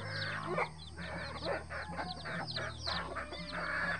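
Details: Native free-range hen walking with her eleven chicks. Continuous shrill chick chirping blends with bursts of coarser, louder clucking and a steady low background drone.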